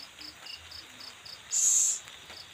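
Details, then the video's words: During an owl's feeding of its young, a harsh hissing screech of about half a second stands out against regular, fast cricket pulses. "melihat burung hantu ngelolohi anak nya"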